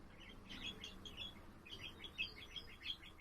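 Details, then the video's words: Pet budgerigar singing, recorded 7 April: rapid bursts of bright, scratchy twittering notes in quick clusters, pausing briefly mid-phrase, over a soft low background hum. "セキセイインコ そらちゃんのさえずり"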